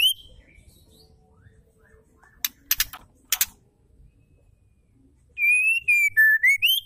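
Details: Female white-rumped shama singing to provoke males into song: three harsh broadband chattering bursts, a quiet pause, then a loud whistled phrase of level and sliding notes that climbs at the end.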